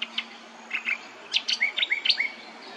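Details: Brown honeyeater at Hervey Bay, Queensland, giving a quick run of sharp, high chirps and short slurred whistles, bunched together over a couple of seconds against a faint low hum.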